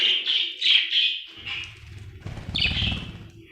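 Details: Happy budgie chirping: a few clear warbled chirps at the start, then a rumbling low noise joins before more rising chirps break through.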